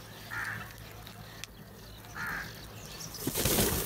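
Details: Crows eating and feeding together, calling loudly: two harsh, hoarse caws about two seconds apart, then a loud rush of wing or rustling noise at the end, with a steady low hum behind.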